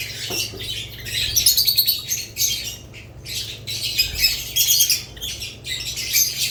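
Budgerigars chatter in a dense, scratchy stream of high chirps and warbles, with bursts swelling and fading every second or so; a faint indoor hum sits underneath.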